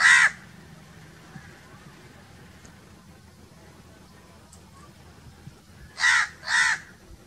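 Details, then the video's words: Natural crow calls: one harsh, broad caw at the start, several seconds of quiet background with faint distant calls, then two loud rasping caws in quick succession. "1 hour crow crowing sounds - one hour crow nonstop crowing voice - natural crow bird sounds"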